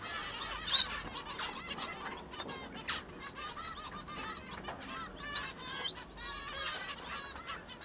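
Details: Song of a male society finch, to set him apart from the female: a long, busy warble of scratchy notes, short rattles and occasional clear slurred whistles, almost without a break.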